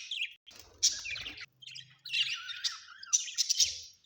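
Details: Home budgerigars produce loud, harsh scratchy chatter and squawks in long continuous runs, broken by a couple of short pauses.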